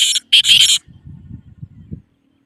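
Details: Black francolin (teetar) calling in loud, rasping bursts, a brief note followed by a longer harsh phrase, then low, stuttering rumbling sounds trailing off into silence.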